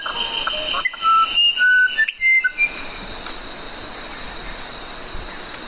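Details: Musician wren giving a short burst of clear whistled tones at shifting pitches early on, followed by a stretch of steady background hiss without song.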